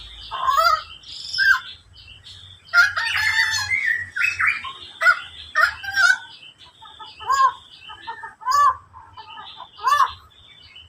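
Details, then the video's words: Endemic koak kaok bird with a busy run of squawking, nasal notes, a long harsh burst near three seconds, then short repeated chirps about once a second. "kicau burung andemik koak kaok"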